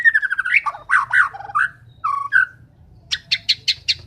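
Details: White-rumped shama in full song: varied whistled and chattering phrases, then a run of five sharp repeated notes near the end, over a low background hum.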